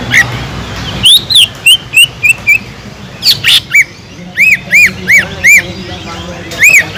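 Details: Caged Sumatran leafbird singing energetically, used to provoke other leafbirds into excitement and breeding mood; clear whistled notes, rising then falling arcs repeated rapidly, with sharp high chirps mixed between phrases.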